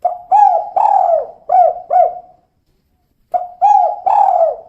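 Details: Female spotted dove in kuk 2 style: a run of four mellow, bouncing coos, a pause, then three more, each note swelling and dropping slightly in pitch. No other noise.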